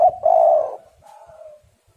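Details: Aroused female spotted dove used as a lure for males: one loud husky drawn-out coo followed by a fainter trailing coo that fades away.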